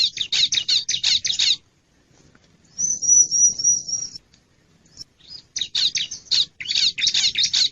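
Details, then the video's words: Bar-winged prinia lure call for catching wild birds' attention: a fast run of scratchy chattering notes, a silence, a high thin wavering trill, then more rapid harsh chatter. "Suara Pikat Ciblek Liar Paling Dicari"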